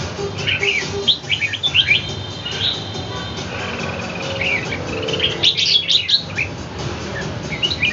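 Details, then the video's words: Caged red-whiskered bulbul squaring off against a wild bird in Ho Chi Minh City: scattered sharp, high chirps and brief twittering notes with pauses between them, set against a constant low drone. "chao mao nha giao chien voi chim ngoai"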